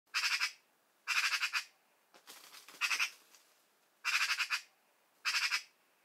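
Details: A Eurasian magpie near El Portil–El Rompido, Huelva, Spain, in early January 2023 gives harsh, rattling chatter in five bursts of rapid, grating notes, each about half a second long, over a quiet background.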